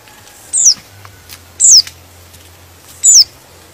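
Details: White-eye (pleci) voice said to agitate other white-eyes into singing: three short, very high downslurred notes about every second and a half, with silence between them and a faint low hum underneath.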